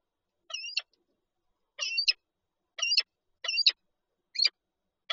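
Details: Lublin, Poland, 19 March 2022, peregrine falcons at a nest with an egg: six harsh, doubled chipping calls delivered briskly, under a second apart at times, with a clean quiet background.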